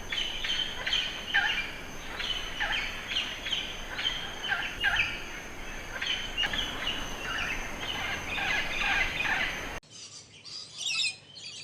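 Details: Many budgerigars chatter together in an unbroken mass of chirps, squeaks and warbled phrases over a constant background hiss, and the sound grows quieter at the end.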